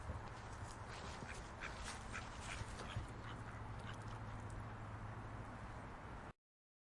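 Scattered duck quacks, several birds calling at once in quick, irregular bursts, over a steady background rumble and hum.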